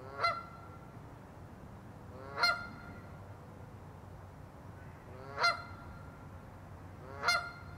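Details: Canada goose calling: four loud, nasal honks spaced two to three seconds apart, each a short upward-sliding note with rich harmonics, over a steady low rumble of background noise.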